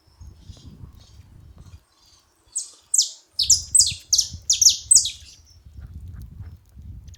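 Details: Saffron finch at a feeding spot, giving a burst of about ten sharp, high, downward-slurred chirps in quick succession, with a soft low rumble before and after.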